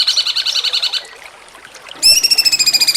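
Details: Contest training recording of cucak cungkok in jengking munting style: fast pulsed harmonic notes, a brief soft pause, then a loud ringing rapid trill with stacked overtones.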